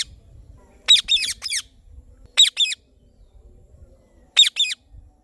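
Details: Chirping Indian ringneck parrot: a cluster of three or four harsh, scratchy screeches, then two spaced double calls a couple of seconds apart, loud and sharp against near silence.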